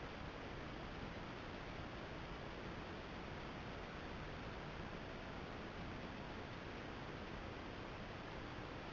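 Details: Even hiss of broadband noise across the whole recording, with no animal calls audible.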